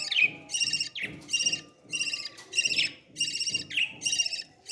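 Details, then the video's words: Baby parrot begging while being fed: harsh, buzzy, harmonic calls in short bursts of about half a second, repeated roughly every second with brief gaps and faint low rustling underneath. "beautiful parrot 🦜 baby feeding"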